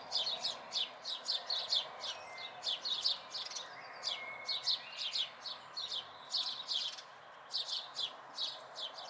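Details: Chirping house sparrow fledglings, recorded May 2020: irregular clusters of sharp high chirps, sometimes doubled, with brief pauses, over steady ambient noise.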